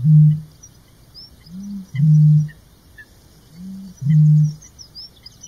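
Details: Great bittern, hidden deep in reeds, giving its mating call: deep, hollow booms, each a short soft intake followed by a louder resonant boom, repeated about every two seconds; faint high bird chirps behind.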